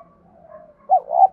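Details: Spotted dove decoy coo in field-voice style, played to encourage newly caught birds to coo. Soft, low, drawn-out cooing is followed by the loud, burbling start of a two-part phrase that breaks off at the end.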